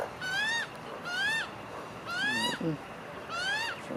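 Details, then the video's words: Magpies in a family group eating; four long, drawn-out nasal calls rising in pitch, each about half a second, spaced roughly a second apart. "Magpie family eating together making funny noises"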